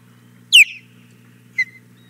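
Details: Osprey begging at the Hog Island Boathouse nest on a May 2017 morning, the female wanting the male's fish. One loud piercing whistle dropping sharply in pitch, then a shorter softer note a second later, with a low background hum.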